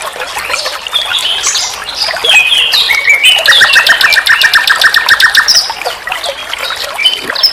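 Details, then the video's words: Common nightingale singing as a master recording for songbird training: scratchy rising phrases, then a long run of rapidly repeated ticking notes with a steady lower trill beneath, then more varied chirps. "Masteran SIKATAN LONDO || NIGHTINGALE BIRD, Guru vokal semua burung kicau"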